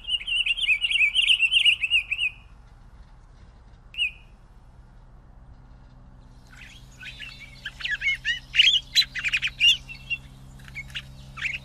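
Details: Pine grosbeak: a two-second warbled whistled phrase opens, then a single brief note follows. After a pause, a scratchier burst of varied chirps and trills comes and goes over steady low hum.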